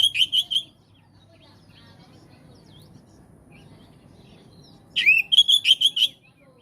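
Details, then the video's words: Oriental magpie-robin song for stirring other magpie-robins into response: a rattling series of quick repeated whistles, several seconds of near silence, then a rising note and another fast ringing burst. "Kacer jenis apapun jika dengar suara ini langsung RESPON"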